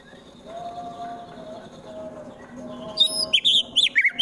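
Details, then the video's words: White-rumped shama from Wonosobo, Central Java, fighter song to provoke rivals: soft, low, drawn-out whistled tones at first, then a sudden burst of loud, sharp, rapid chirping notes. "MURAI BATU FULL TEMBAKAN KASAR Sangat Cocok Dijadikan Lawan agar cepat Emosi dan Fighter"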